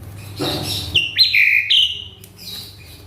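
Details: Agitated male Asian pied starling, caged, giving a rough harsh burst followed by loud sliding whistled notes and a fading high note.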